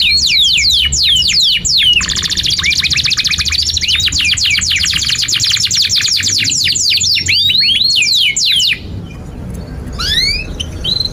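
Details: Canary in long, energetic song, offered as a tutor recording for young canaries learning to sing and for silent canaries. Fast downslurred whistles, then a dense buzzy trill, more sweeping notes, a brief drop in volume and rising notes near the end.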